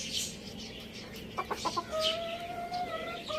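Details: Rooster and hen feeding on spinach in a farm village; a quick run of four short clucks, then long, steady, level tonal calls with a faint higher overtone, against a hissy background.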